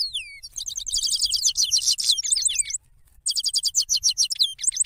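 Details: European goldfinch song, described as a loud female goldfinch, played at high speed to lure birds for trapping: rapid tinkling twittering phrases, high buzzy trills and sliding descending whistles, a brief pause, then renewed bursts of quick liquid notes.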